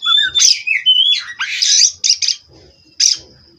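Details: Oriental magpie-robin from a breeding farm, perch-steadiness therapy song: whistled slurs leading into a dense harsh burst, then two scratchy notes and a final sharp call over a thin high tone.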